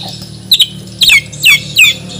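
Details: Caged Borneo white-rumped shama from Banjar, trained for contests, sings high, sweeping squeaky phrases. Four or five short twisting notes are spaced roughly half a second apart, with a faint hum beneath.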